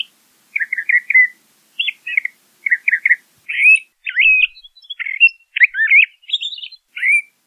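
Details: LeConte's thrasher singing a continuous medley of short chirped and slurred notes, some doubled or tripled, the phrases growing more varied and sweeping toward the end.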